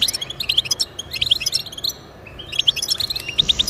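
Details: Goldfinch song aimed at getting pet goldfinches singing: crisp high chirps and liquid twittered notes in quick clusters, split by a short quiet gap, then a rising slurred note.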